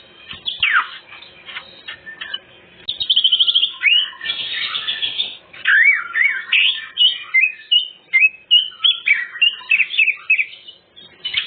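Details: Greater green leafbird, full-repertoire lure song: a sweeping falling whistle, a buzzy rattling trill, then a long run of zigzagging, varied whistled phrases.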